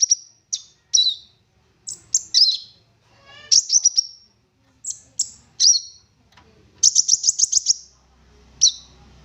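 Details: Busy olive-backed sunbird song, varied and rich, played as a lure to make other sunbirds sing: piercing high chips, slurred whistles and a long rapid stuttering trill of about eight notes near the end, over a quiet low drone.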